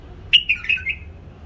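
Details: Hybrid bulbul, bred and raised in captivity, giving a short burst of four clear, slightly buzzy whistled notes that dip and rise, over a low steady hum.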